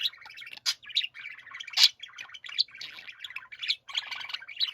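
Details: Several pet budgerigars warbling together in chorus, a dense run of chattering, buzzy and squeaky notes with sharp high chirps, the rolling 'pyoro-pyoro' warble giving way to grating 'giji-giji' sounds.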